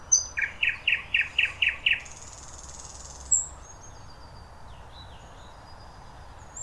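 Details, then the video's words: Thrush nightingale singing at Lake Iidesjärvi in Tampere, Finland: a rapid run of six loud, evenly spaced clicking notes, then quieter thin high whistles and faint trills over soft background hiss. "Satakieli laulaa Tampereen Iidesjärvellä."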